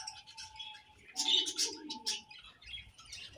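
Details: Budgerigars content in a new colony chatter in rapid, buzzy phrases over a steady low hum, with a louder burst of warbling in the middle.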